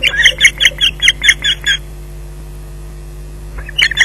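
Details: Osprey at the Loch Garten nest while a fish is delivered, evening of 19 June 2011; a rapid string of about ten piercing whistled yelps, a pause of near silence, then a few more notes resuming, with faint low hum throughout.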